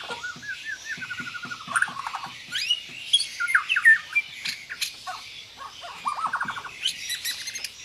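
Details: White-rumped shama delivering a combined 'tembakan' song with tight rolls: rapid rattling trills in quick runs, mixed with squeaky, rising and falling whistled notes and dense chattering bursts throughout.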